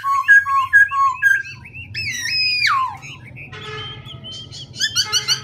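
A black-throated laughingthrush sings rich, loud whistled phrases that switch quickly from paired notes to a long swooping slur and then bright chattering notes, over a low hum.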